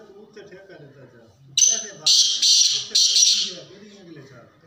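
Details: Black francolin (kala teetar) giving a loud run of four rasping, high-pitched notes spread over two seconds, with a man's speech before and beneath the call.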